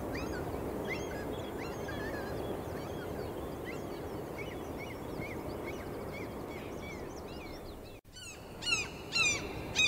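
A colony of gulls keeps up a busy chorus of short yelping calls, with a few louder, ringing cries near the end over a steady rushing background.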